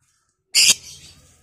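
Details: Single loud, grating screech from a Batman lovebird, used to provoke other lovebirds into long chattering, trailing off into a soft rasp.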